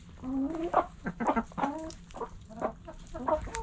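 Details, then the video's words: Backyard hens in the coop clucking, short harmonic clucks in quick bursts with a rising drawn note at the start, several birds overlapping. "Backyard Chickens In The Coop Relaxing Video Sounds Noises Hens Clucking Roosters Crowing!"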